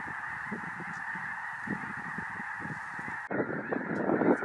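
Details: Snow Geese by the thousands, arriving from the Arctic and landing in a cornfield in Illinois near the Indiana border; dense overlapping honking and yelping of a huge flock, a steady hiss-like wash of calls, growing louder in the final second.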